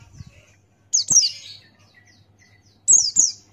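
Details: ['Ngalas song of an open-beaked male Buxtoni white-eye: two short bursts of high, ringing, downward-sliding whistles, each a pair of notes, with near silence between them.']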